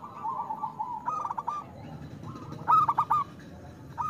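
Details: Local zebra dove, kept for song and described as a loud, frequent singer, used as a lure to prompt reluctant doves to sing: faint cooing at first, then two bursts of short, rolling, stuttered coos, the second louder and clearer.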